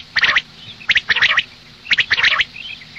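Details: Morning calls of a female common quail: three quick clusters of sharp, buzzy clicking notes, each cluster under half a second long.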